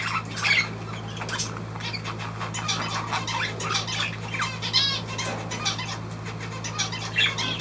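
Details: Budgerigar keeping up steady scratchy chirping and squawking throughout, with brief sharper peaks, above a low continuous hum.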